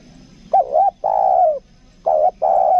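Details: Lure spotted dove of the 'kuk dua' type calling: a looped short coo and a long drawn-out coo, then a second phrase starts with two even, flat coos, all low and mellow over quiet hum.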